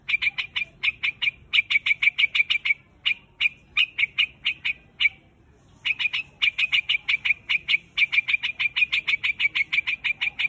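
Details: Flock-gathering call of the white-headed quạch mốc bird: rapid strings of sharp, ringing chirps, interrupted twice by short silences, then resuming at a brisk, fairly even pace.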